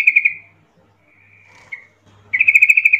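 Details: Call of a sooty-headed bulbul, used to make other bulbuls respond: a brief rattled chirp series, a faint drawn-out trill, then a loud, rapid, evenly beaded chatter to the end.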